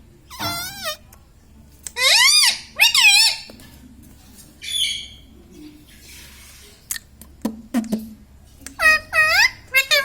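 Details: Indoor pet Indian ringneck parakeet, a talking parrot, uttering bursts of harmonic wavering squawks separated by quiet gaps, with a brief buzzy note and light background noise.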